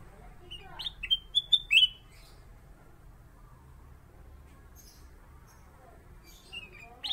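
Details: Kept kutilang emas (Pycnonotus melanicterus), a bulbul valued as a master bird for shamas, gives one quick burst of four or five clear, rich whistles early on, then near silence with a few faint chirps.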